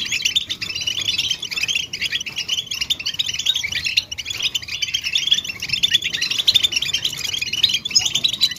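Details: Goldfinch calls of mating and readiness, played to coax silent male goldfinches to sing; rapid liquid twittering and clipped chirps pour out continuously, with brief bright whistles near the end.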